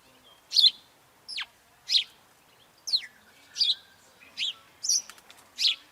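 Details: House sparrows singing: loud, clean chirps, some dropping steeply in pitch, repeated about every half second in an otherwise quiet setting.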